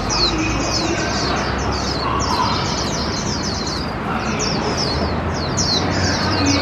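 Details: Hand-raised warbling white-eye, one year eight months old, out in a park for the first time in 2021: bursts of rapid, high, slurred twittering with brief gaps, against loud rumbling and music from an adjacent outdoor puppet play.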